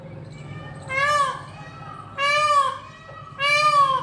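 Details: Indian peafowl (Pavo cristatus) calling to one another: three loud, nasal, wailing calls about every 1.2 seconds, each a brief falling cry, over a low background hum.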